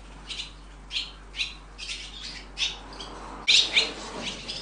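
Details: Swallow young being reared in the nest, with short high chirps repeated about twice a second, then a louder, harsher burst of several notes near the end.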